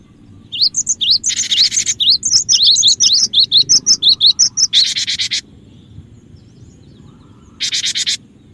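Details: Cinereous tit lure song: a fast string of high, rising-and-falling whistled notes delivered steadily for several seconds, with harsh hissing bursts before and after.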